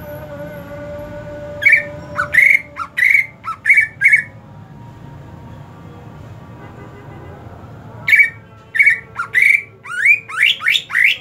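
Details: Greater green leafbird kept through the hot season sings two bursts of rapid harsh whistles and dipping notes separated by four quiet seconds, the second burst ending in a string of rising sweeps.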